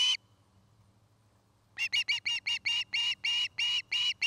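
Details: Osprey at a nesting pair's nest near Charlo, Montana, caught on a nest camera in the afternoon, dated 09-05-2018; after a quiet start, a run of about ten sharp whistled notes follows, quickening and repeated several times a second.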